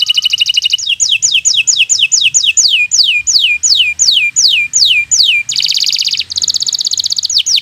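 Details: Song of a local canary in bottle-green plumage, meant to tutor young birds: a buzzing trill, a long run of falling whistled sweeps, then a loud harsh burst and another trill.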